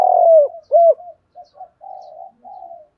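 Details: Lure spotted dove cooing to provoke wild birds: a loud hoarse coo and a second bent note, then quieter short and drawn-out low notes fading away.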